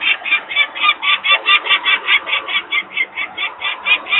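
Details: Agitated peregrine falcon parent at a nest site in Włocławek, Poland, 23 May 2022, calling while workers are noisy nearby; strident, grating kek notes delivered steadily, roughly two or three each second.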